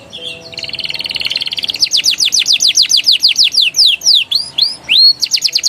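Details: Prompting song of a canary, ngeriwik and ngeroll style, for young birds: a low buzzy roll builds into repeated falling sweeps, then upward-hooked whistles and a final trill.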